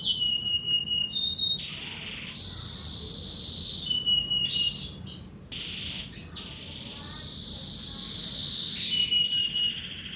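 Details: Morning song of a kept canary from Indonesia: loud continuous rolling trills held for several seconds each, alternating between a lower buzzy tour and a higher bright one, with brief gaps between phrases.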